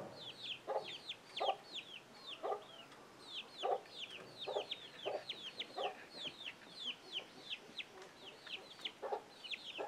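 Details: Chicken issuing an alert to its chicks; steady low clucks repeated about every half second to one second for ten seconds, under a busy chorus of high, thin, falling chick peeps.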